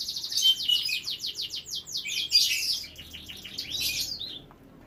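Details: Breeding-room canary with young birds nearby delivers a quick run of high, sliding notes, about ten in a row, followed by buzzier chatter that trails off into quiet.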